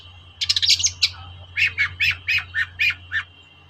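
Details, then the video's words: Long-tailed shrike calling to goad reluctant shrikes into singing: a quick run of shrill, squeaky notes, then six evenly spaced harsh, rasping chacks about a third of a second apart, over a low steady hum. "TOET-TOET CENDET GACOR DONGKAK EMOSI CENDET SUSAH BUNYI || PANCINGAN BURUNG CENDET"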